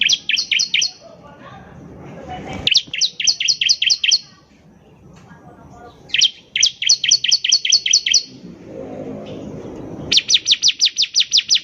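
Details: Bar-winged prinia (ciblek) in full song, used as a lure for untrained birds: four rapid bursts of high, sharp, evenly spaced chirps, the last one fastest and longest, with soft background rumble between phrases.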